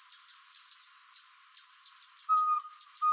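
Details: Least pygmy owl at Angra dos Reis, Rio de Janeiro, Brazil, recorded with a Nikon P900 camera: two clear, level whistled toots in the final second, over a steady pulsing insect chorus.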